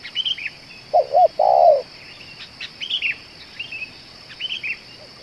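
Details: Cooing of a spotted dove described as calling for two hours and suited to luring: one phrase of two short hooked notes and a drawn-out buzzy coo, then thin chirps from other small birds and a steady whine.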